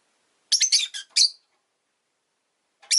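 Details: Pet rosy-faced lovebird giving a quick chattering run of four harsh, high chirps, then a second of silence and a single sharp chirp at the end.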